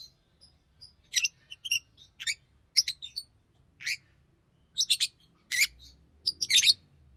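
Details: Green Fischer's lovebird trilling and chirping in a quick, irregular series of shrill squeaks, with a low background hum and a brief thump late on.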